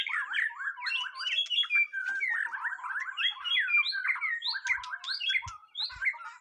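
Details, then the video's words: White-rumped shama, first mental test, pouring out a continuous rich song of rapid slurred whistles, chatters and high upsweeps for over six seconds, with faint taps near the end. "Nguji Mental Burung Murai Batu Perdana"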